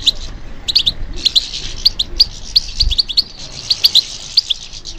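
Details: Goldfinch singing in response to stimulation: bright, sharp chirps and twittering notes, some doubled, given in quick irregular bursts with faint low background noise.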